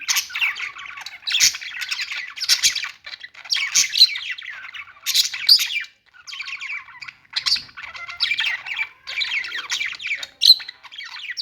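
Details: Budgerigar song of quick twittering chirps and squeaky phrases, delivered in bursts separated by short gaps.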